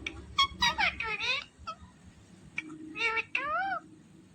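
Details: Indian ringneck parakeet imitating human speech: two bursts of word-like, nasal syllables with bending tones, separated by a quiet gap, recorded indoors with a low background hum.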